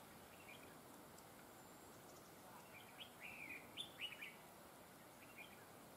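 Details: Red-whiskered bulbul trapping decoy noted for linked double phrases; a single soft, rippling warbled phrase in the middle, faint against steady background noise.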